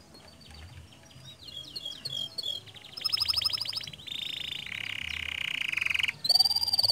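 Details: Canary singing vigorously, used as a lure to prompt other canaries to sing. Soft, scattered chirps open, then loud rapid trills and buzzy rolls follow in quick succession, ending on a bright rising whistle.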